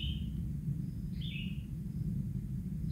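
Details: Newly hatched kingfisher nestling, still naked, calls while a parent feeds it fish: one clear rasping downslurred note between clipped fragments, with constant low background rumble.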